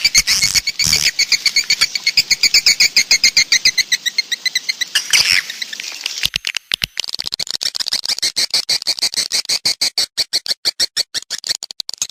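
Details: Swiftlets heard in a calling track used to attract them: layered high twittering at first, then a long series of fast, dry clicking pulses, several per second.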